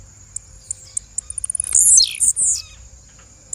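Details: A single female blue-black grassquit call: spaced high clicks speed up into a trill, then a rasping note slides downward, followed by a shorter buzzy tail. A faint, unbroken high tone runs throughout.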